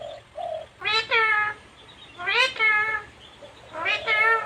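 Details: Female pet parrot talking; three rich, harmonic speech-like utterances, each rising then falling in pitch, spaced about one and a half seconds apart, over a low steady hum.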